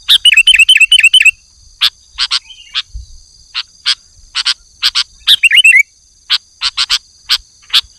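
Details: Lively sooty-headed bulbul (kutilang) song for luring and tutoring: a quick string of repeated wavering warbled notes opens, followed by many sharp, evenly spaced chips and a second short warbled burst, over a thin steady high tone.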